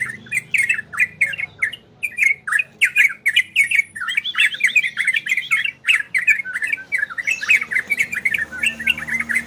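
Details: Long, busy song from an orange-spotted bulbul in the ropel and garudo styles: dense runs of bubbling, slurred whistles, briefly paused midway, then resuming, over steady clicks.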